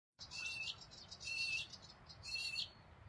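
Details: Rainbow lorikeet (Trichoglossus moluccanus) giving three harsh, buzzy screeches, each about half a second long, spaced roughly a second apart over a steady low background rumble.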